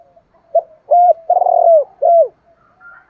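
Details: Spotted dove coo used as a decoy for luring and training doves: a short clipped note, a level coo, a long burry wavering coo and a closing downslurred coo, with faint chirps at the end.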